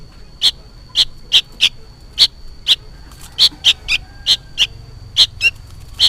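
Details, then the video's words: Juvenile sooty-headed bulbul calling noisily as if for its parent: short sharp high chirps around the same pitch, repeated at uneven intervals roughly every half second to second, over a faint low hum. "suara burung kutilang anakan gacor ribut seperti memanggil induknya"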